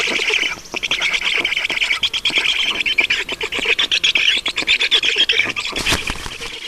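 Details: Black storks at a nest in Estonia on 5 June 2019 at 20:28 while an adult brings water. A steady raspy, wheezing band runs almost without pause, broken into fast pulses, with scattered knocks and a sharp click near the end.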